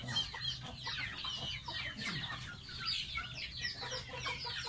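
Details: Gosling kept as a pet and bathing, heard as a steady stream of high, squeaky descending peeps, crowded and overlapping, over a low steady hum.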